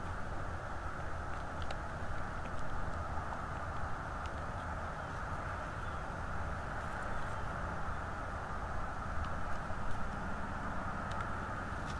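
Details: Steady low rumble like distant traffic or machinery, with a few faint clicks and no clear animal calls.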